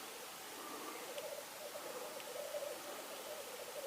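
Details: Distant black grouse recorded in Norway on 8 May 2019, a soft bubbling warble rising out of steady background hiss in the second half, with two faint ticks earlier.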